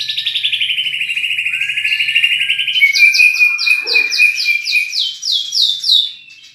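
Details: Champion murai batu singing rich fill-in material: a long fast trill slowly dropping in pitch, then a series of crisp repeated downslurred notes about twice a second, fading at the end.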